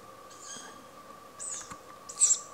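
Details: Tawny owl fledgling that has just learned to fly, in a home garden, screeching at its parents to bring food; three hoarse, hissy high screeches roughly a second apart, the last loudest, over a steady low hum.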